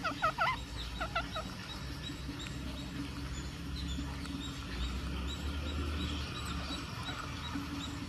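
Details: Green parakeet in India calling while feeding: a quick burst of harsh, harmonic, downward-sliding squawks in the first second and a half, then steady low background hum with faint scattered chirps.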